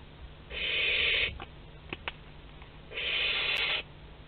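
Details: Young barn owl in its parents' food store at Théding, France, on 10 July 2021 gives two long, loud, raspy hisses about two seconds apart, with sharp clicks between them.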